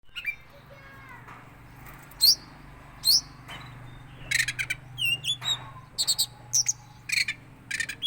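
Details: Oriental magpie-robin (kacer teler) giving a strange-sounding series of calls: sharp rising whistles, short chirps and hooked high notes in scattered bursts, against a steady low hum.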